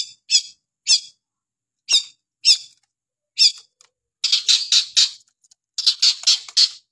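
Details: Long-tailed shrike singing: spaced harsh squawky notes open the phrase, followed by tight bursts of buzzy, rasping notes in quick succession.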